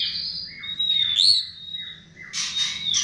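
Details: Chestnut-tailed starling song played as a lure: long high whistled notes and descending slurs, with a harsh, buzzy burst near the end.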